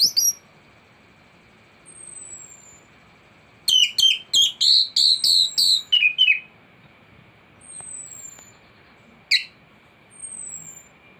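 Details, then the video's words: Thrush singing in a master recording meant to tutor caged birds and prompt them to sing: a quick run of about ten high, falling whistled notes, then isolated thin notes and silence, with a steady faint hum behind. "Anis gacor teler isian komplit materi masteran burung anis pancingan bunyi"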